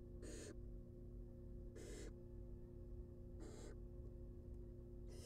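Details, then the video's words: Four wheezy, hissing begging bursts from baby barn owls being fed in a wild nest box, spaced about one and a half seconds apart, over an even low rumble. "Baby Barn Owls Get Fed"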